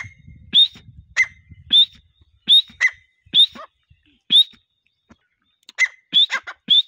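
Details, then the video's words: Partridge used for hunting, giving spaced sharp upslurred whistles with a few lower notes, about one every half second, ending in a quicker cluster. "teetar ki boli | teetar awaz | shikari teetar ki boli"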